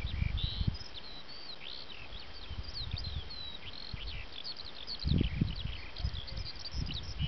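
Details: Eurasian skylark song in its natural habitat: an unbroken, fast warble of sharp high notes and brief rising and falling whistles over constant low wind buffeting, with stronger gusts midway.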